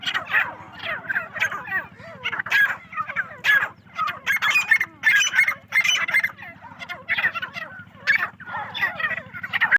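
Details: Partridges on a farm, a dense flock giving continuous raucous chattering calls that rise and fall in loose waves, backed by an unbroken low machine hum.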